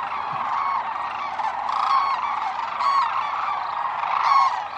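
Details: Thousands of wintering sandhill cranes at Whitewater Draw Wildlife Area, southeastern Arizona, during their morning fly-off after a freezing night. A continuous wall of rolling, trumpeting calls surges louder every second or so.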